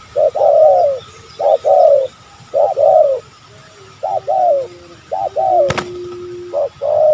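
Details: Wild spotted dove in an oil palm plantation behind a house, described as fierce while lured for trapping: soft, mellow two- and three-note coos, mid-pitched and slightly rising, repeated in phrases about once a second, with one sharp click.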